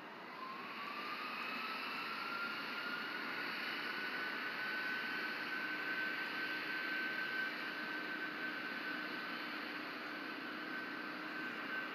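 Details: A steady jet aircraft roar and broadband engine rumble with a faint rising whine fill the recording, with no animal voices.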